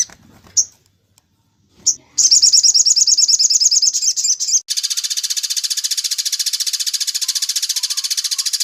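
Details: Sunbird song in the 'tembak cililin' style, a masteran recording for training other birds to sing: after a few faint clicks, a very high, fast trill for two seconds, then a long, even, buzzy run of rapidly repeated pulses.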